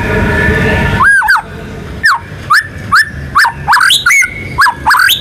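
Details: White-rumped shama, a national contest winner, singing full varied material meant to set other birds singing: clear mid-pitched whistled slurs repeated at irregular intervals, some notes swooping upward, over faint background hiss.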